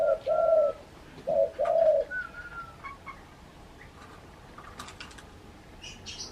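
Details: Very vocal spotted dove cooing outside its cage: two low, mellow coo phrases, each a brief note then a longer one, followed by quieter moments with scattered faint chirps and a thin whistle from other birds.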